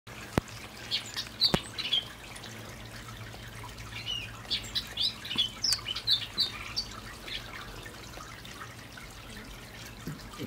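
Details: Hooded oriole singing in the evening from palm trees, a male set off singing that keeps going; scattered chattery whistled and buzzy notes in irregular bursts, some ticking clicks, soft background hum.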